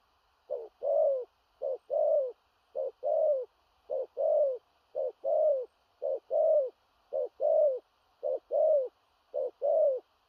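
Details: Spotted dove with a large body giving a long, very regular sequence of 'thổ rặc' coos, nine or so short-long hoot pairs, each long note softly falling, with quiet gaps and nothing else audible.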